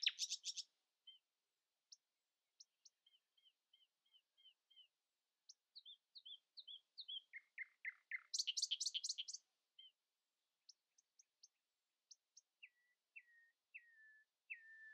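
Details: Common nightingale in morning song, competing to stay louder than rival birds: a varied, pausing sequence of sharp clicks, short repeated whistled notes, descending buzzy strokes, a loud high rattling burst, then drawn-out falling whistles.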